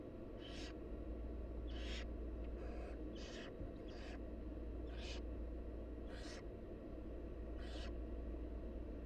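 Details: Wild barn owl nestlings begging while their mother feeds them: about nine harsh, hissing screech bursts, each under half a second, spaced roughly one second apart over a steady low rumble.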